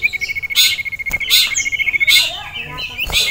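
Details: Male sirtu kept caged and agitated by a rival and a female delivers a long high trill of evenly spaced notes, broken by loud hissing bursts.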